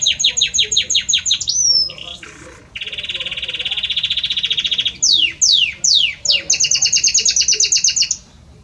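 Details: Male Belgian canary singing for his female: rapid repeated high notes, an upward-flicked whistle, a long steady buzzing roll, descending swept whistles, then a fast doubled trill.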